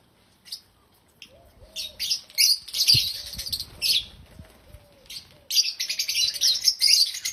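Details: Happy African lovebirds giving loud, shrill squeaky chirps in irregular bursts, growing into a dense rapid chatter at the end; a faint low whistling tone repeats softly underneath.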